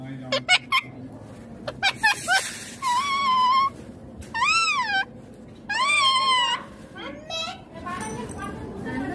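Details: Indian ringneck green parrot producing talking sounds: a few clicks open, then three long arched voiced tones that rise and fall smoothly, each about a second long, with quiet gaps between.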